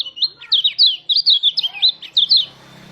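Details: Mountain white-eye singing a rolling, wild-style lure song meant to make other white-eyes open their beaks; about a dozen bright, high, looping whistled phrases in quick succession, then a soft low hum.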